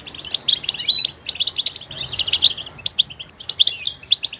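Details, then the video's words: Diverse goldfinch song: tinkling twitter with a brief pure whistle, a dense rolling buzzy trill in the middle, then crisp chirps and a final slurred note. "motivational ringtones that will take you on a journey with goldfinch"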